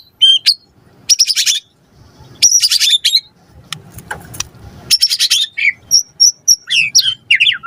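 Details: White-rumped shama singing energetically, used as a lure song: harsh buzzy high bursts alternating with clear whistled notes and short rising slurs, with brief pauses and faint low rumble between phrases.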